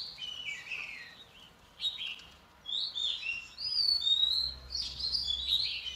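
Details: Female Oriental magpie-robin singing to excite the males; moderately loud, mixed whistles and twittering phrases over a faint background hum.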